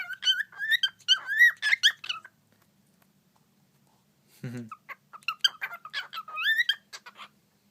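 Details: Cockatiels communicating: bright, bending whistled chirps in quick runs, a two-second silence, a brief low thud, then more rising and falling whistles.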